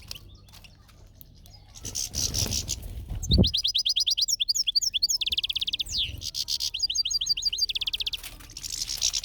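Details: European goldfinch singing amid natural surroundings: after a quiet start with a low thump, rapid tinkling, twittering phrases of high buzzy and liquid notes run continuously for about six seconds, with short pauses between bursts.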